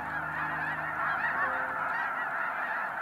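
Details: Spring migration flock of snow geese at Freezout Lake Wildlife Management Area, a glacial-basin wetland in Montana: dense continuous chorus of overlapping honking calls from many birds, forming a steady clamorous wall of sound.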